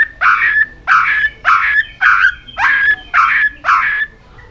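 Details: A white-rumped shama training song for building a fast, many-voiced song: seven loud, rough, buzzy phrases in an even series, about one every 0.6 seconds, with a whistled line running beneath them.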